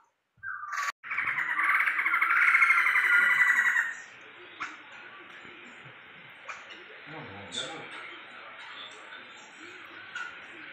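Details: Tame pet Sumatran laughingthrush, described as highly vocal: a loud harsh grating chatter for about three seconds, followed by quiet room noise with faint clicks.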